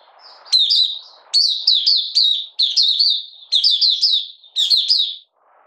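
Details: Malaysian Oriental white-eye, caged and in minor moult, opening song on 31 July 2023. Loud phrases of three to four quick, high downslurred chirps repeat about once a second, with a soft low rustle before and after.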